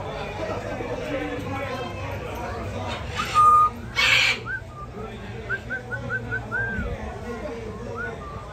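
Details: Blue-and-yellow and red-and-green macaws speaking: two harsh broadband squawks about a second apart, then a run of short, rising whistled notes, with low background hum.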